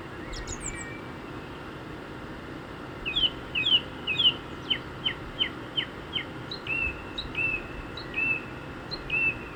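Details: Song thrush singing in the wilds of Hampshire, England: a series of sharp downward-slurred notes repeated rapidly, then clear whistled notes repeated several times in a row, with a faint high twitter from another bird at the start.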